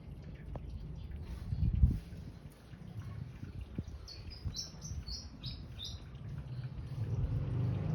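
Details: In front of a house, a pied fantail gives a brief series of sweet, high whistles, alternately rising and dipping, with constant low-pitched background noise and a few knocks.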